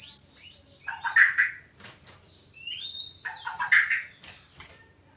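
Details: White-rumped shama (murai batu) song played as therapy to bring a caged bird into breeding condition: whistled high notes, then rich warbled phrases with pauses, fairly quiet.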